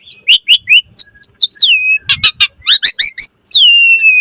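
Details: Asian pied starling (jalak suren) in full, lively song rich in varied mimicry: rapid sharp chirps and downslurred whistles in quick bursts, then a long level whistle trailing off; no other sounds.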